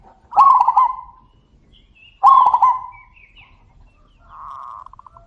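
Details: Zebra doves calling back and forth in a loud voice: two strong, rolling, stuttered coo phrases about two seconds apart, then a softer, sustained, beaded coo from a second bird fading at the end.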